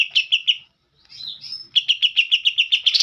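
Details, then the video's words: Green leafbird with kapas tembak phrases in its song: a few quick chips, a short silence, then drawn-out sliding whistles, followed by a rapid run of clipped high notes that speeds up at the end. "CUCAK IJO ISIAN KAPAS TEMBAK"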